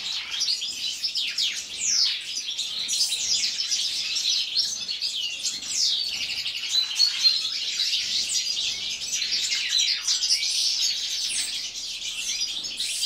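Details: A group of goldfinches sings in a winter aviary. Lively overlapping twitters and buzzy trills run for the full length, with some louder, sharper notes standing out from the steady high-pitched babble.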